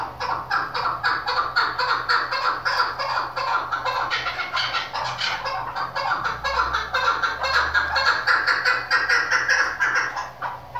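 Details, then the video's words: Female chukar partridge sound used by hunters for partridge hunting: loud, rapid, harsh clucking notes repeated about twice a second in a steady chattering series, with low background hum. "dasi madi female shiakri chakor keklik sesi hunter birds hunting sound"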